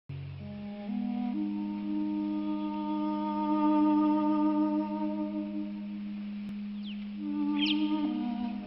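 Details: Sustained, droning musical tones like a theremin or flute, with a brief high squeak near the end.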